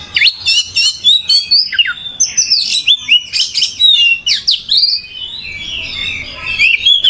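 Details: Oriental magpie-robin (kacer) singing gacor: a continuous, rich medley of loud sharp chirps, rising and falling whistles and scratchy notes, with almost no pauses.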